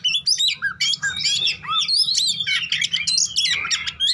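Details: An Oriental magpie-robin in fighting song, used as a lure to spur other magpie-robins, pours out a fast, varied run of loud whistles, slurred notes and harsh chatters with barely a pause, over a faint low hum.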